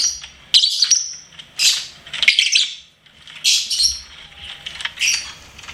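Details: Pet lovebird chirping almost continuously, with squeaky, high-pitched, slurred notes in uneven bursts and short pauses between phrases.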